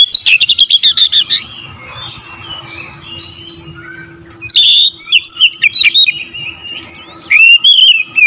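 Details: Oriental magpie-robin singing loudly and constantly, a rousing song meant to provoke other magpie-robins: three bursts of sweet whistled notes and rapid chirps, separated by quieter spells with a faint steady hum underneath.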